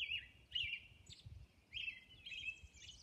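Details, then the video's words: Robin at dawn on Orcas Island: a loud, warbling carol delivered as short slurred phrases about half a second apart, some followed by thin, high squeaks, over quiet low-pitched background noise. "Dawn Robin Song"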